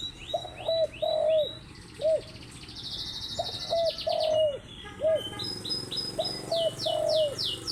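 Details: A spotted dove coos in the morning, with low soft notes in clusters of two or three, some stretched and falling. Other birds add high chirps and a buzzy trill behind it.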